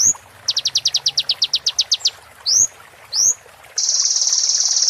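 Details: Roll tembak song of a kolibri ninja sunbird for moult training: a quick run of about fifteen sharp high notes, two rising slurred whistles, then a dense, buzzy high trill held to the end.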